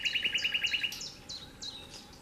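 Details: Nightingale delivering a fast burst of about ten identical repeated notes, then a few separate high whistled notes trailing off.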